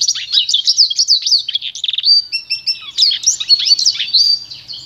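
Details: A pintagol, hybrid of goldfinch and canary, giving its pure song for training: rapid high twitters and a short buzzy trill near two seconds, then a sustained tone followed by more chattering warble.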